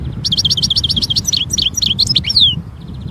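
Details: Wild European goldfinch in nature delivering a fast twittering song: a quick series of repeated high tinkling notes, then varied slurred chirps ending in a descending whistle, over steady low background rumble.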